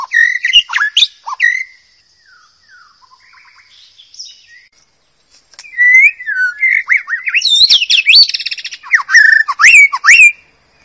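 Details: White-rumped shama singing in the wild, kept as training song for young birds: rich varied whistles and fast chattering phrases, a softer pause midway, then a loud, dense run of slurred high notes and rattles.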